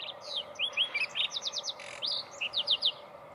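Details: Lark sparrow singing at Sandstone Ranch, Longmont, Colorado, on June 20, 2020, during a birding walk: a varied run of high buzzy trills and quick chirped notes, repeated in two phrases with a short pause between them, over a steady background hum.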